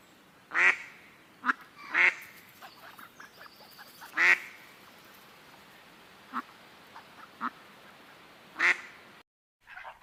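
A duck gives four loud, harsh, nasal quacks at uneven intervals, with softer, shorter quacks between them and a brief faint call at the end.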